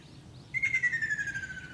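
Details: Ruddy kingfisher, Shizuoka, Japan, June 2, 2024: one strong, throbbing trill that drops slowly in pitch, its pulses fading toward the end, against a faint low background.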